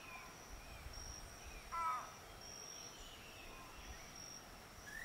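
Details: One short croaking note from a keel-billed motmot, Rio Santiago, Honduras, rising slightly and falling; soft distant bird whistles and a continuous shrill insect drone fill the background.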